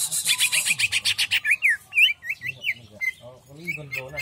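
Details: Greater green leafbird in jamstrok song: a fast, buzzy repeated trill for about one and a half seconds, then looping whistled slurs and a few clipped notes.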